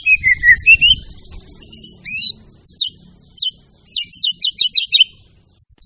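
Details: White-rumped shama, called murai batu, delivering a varied masteran song: low whistled warble at first, then scattered high upslurred notes and clusters of quick chirps separated by short silences.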